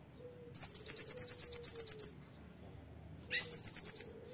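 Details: Oriental white-eye in loud 'tembakan' style song, used as a master song for training: a sharp descending note opens a rapid run of about fourteen high, buzzy, evenly spaced notes, then a second shorter burst follows after a pause.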